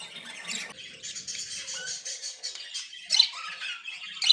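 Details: Budgerigars, described as happy and playing, chattering in a flock: dense, scratchy high warbling with squawky notes and a few louder sharp chirps near the end, recorded indoors.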